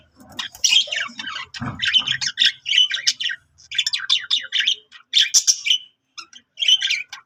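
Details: Continuous budgerigar warble of rapid, tightly packed chirps and squawky notes, grouped into phrases of about a second and separated by short gaps, with a low thump near the start.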